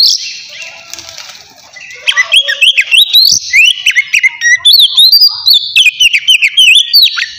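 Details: Relaxed ngeplong song of a white-rumped shama, meant as a lure for wild-caught birds: faint opening, then from two seconds a fast run of loud, sliding whistles and sharp chips in varied, bouncing phrases.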